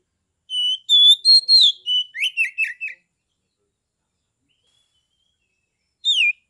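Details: Caged Oriental magpie-robin in Kebumen, Central Java, singing in the open 'ngeplong' style used to bait rivals into singing and fighting: clear whistled notes, then a rapid run of about eight buzzy descending notes, a long pause, one final whistle.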